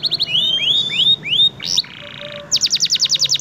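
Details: Short burst from an F1 canary used to train other birds: quick notes, a run of rising slurred whistles, a brief buzzy phrase, then a rapid pulsed trill repeated about eight times.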